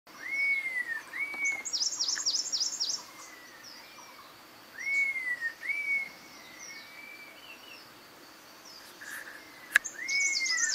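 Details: Red-tailed laughingthrush (Trochalopteron milnei) gives clear, slurred whistles that rise then fall, in short bursts with pauses, mixed with thin, high chirps from other birds.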